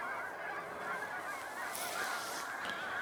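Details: A flock of Canada geese near Aberdeen, Saskatchewan, Canada, honks continuously, many nasal, overlapping calls blending into a steady chorus with no other sounds standing out.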